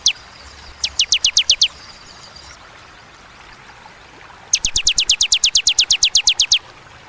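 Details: Bar-winged prinia (ciblek) in the paused ciwah cigun style: a short series of high downslurred chips, nearly three seconds of quiet, then a long, rapid, even run of about eighteen notes.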